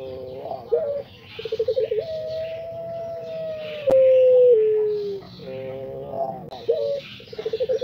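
A Barbary dove gives quick stuttering coos, then one long, low, drawn-out note that slowly falls, then short coo bursts again. Soft background noise.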